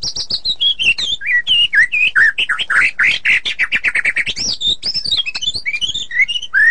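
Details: Rolling, tightly packed song of a white-rumped shama: a continuous stream of rapid whistled slurs sweeping up and down, fast and unbroken for nearly seven seconds.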